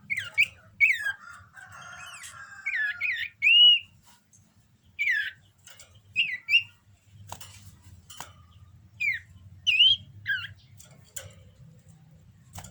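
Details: Common iora in breeding condition singing scattered high whistled notes, some rising, some sharply falling, spaced irregularly over several seconds, with occasional clicks and a low background rumble.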